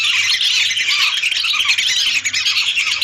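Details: Lesser whistling duck flock of hundreds, a lure recording: a dense, busy tangle of high whistles and squeaky notes, continuous and loud for the whole stretch.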